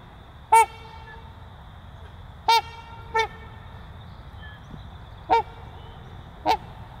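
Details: Trumpeter swan breeding pair giving loud, nasal, horn-like honks: five separate short blasts spaced irregularly across seven seconds, some doubled, over a steady low background rumble.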